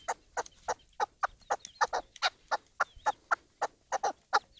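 A chukar partridge gives a rapid run of harsh clucking notes, about three or four per second, steady and insistent, with faint whistled bird sounds behind.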